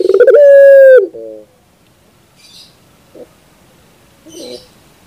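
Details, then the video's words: Single Barbary dove coo from a recording used to train birds: a quick rolling start, a clear sustained note for about a second, and a soft lower tail. Faint rustles and distant chirps follow in near silence. "Masteran terbaik Burung Puter 2021"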